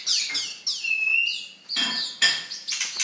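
An Oriental magpie-robin sings a quick run of clear, sweet whistles, some sliding down and some held, with a few sharp metallic notes mixed in.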